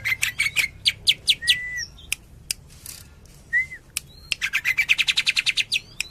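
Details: Tembakan-style song of a greater green leafbird from Cililin: quick sharp chips and a downslurred whistle, a pause with another slurred whistle, then a fast accelerating run of bright repeated notes.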